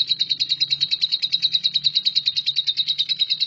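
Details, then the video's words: Caged lovebird in 'nyambung kuntilanak' song style, used as a training recording for shrikes; a steady, rapid stream of shrill clicking notes that keeps an even rhythm throughout, with a soft low hum in the background. "LOVEBIRD NYAMBUNG KUNTILANAK"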